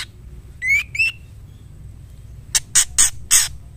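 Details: A female white-rumped shama calls for the male. Two rising whistled notes are followed by a pause and then four harsh scratchy rasps.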